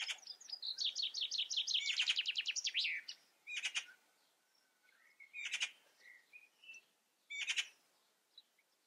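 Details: Song of a common chaffinch: a fast rattling trill of bright notes lasting about three seconds and ending in a flourish, then several harsh broadband bursts and soft chirps in the pauses.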